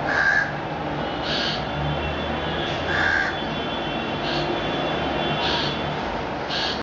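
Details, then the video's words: Juvenile black-billed Asian koel (Eudynamys scolopaceus melanorhynchus), 45 days old and raised by crows, tries to imitate its crow foster parents with harsh, crow-like caws every one to two seconds over a low background hum. "Juvenile Koel tries to imitate crow parents"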